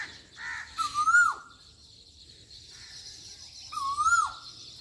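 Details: Asian koel from a village in Pakistan repeating a clear, upward-sliding whistle twice, about three seconds apart, over a steady hiss of distant birds and insects.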